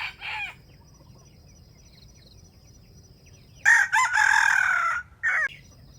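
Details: Wild junglefowl at a trap, with a bait chicken and wild birds competing to crow: a loud, harsh crow of about a second, with a short clucking note before it and a clipped crow after, over a thin steady high whine.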